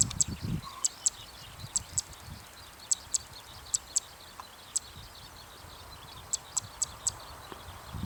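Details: A Zitting cisticola calls on an evening field after landing close by. Crisp, very high 'tsip' clicks come in paired bursts with short pauses between them. The background is quiet, with faint low thumps.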